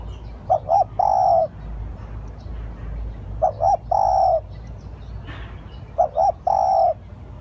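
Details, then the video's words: Three cooing phrases from a spotted dove serving as lure call, spaced about two and a half seconds apart, each a quick double coo ending in a long mellow note. "Tiếng chim cu gáy gọi hay / เสียงต่อนกเขา"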